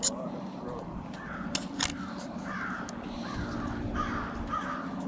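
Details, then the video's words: Winter staging of crows along Washington St in Brattleboro, Vermont, February 16, 2021. Scattered raspy caws, some doubled, rise from the flock amid a low steady drone and a few sharp clicks. "Crows staging on Washington St"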